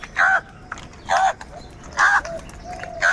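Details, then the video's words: Crows in large numbers, fighting for food: four loud, harsh, buzzy caws, each lasting about a fifth of a second and spaced roughly one second apart, over a quiet steady background. "Crow sound of kaka - Large numbers of Crows ki natural awaaz | কাকের ডাক Crow Sound Loudly"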